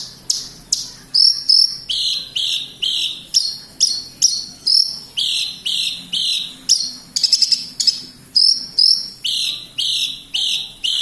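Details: Lark from Kediri, locally called branjangan, repeating a steady run of high, sliding whistled notes about twice a second, broken once by a quick buzzy trill.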